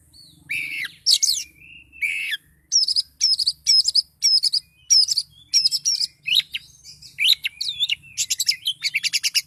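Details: Oriental magpie-robin in highly agitated song: rapid run of sharp high chirps and whistles, a string of evenly repeated notes about every half second, ending in a fast buzzy trill of quick strokes.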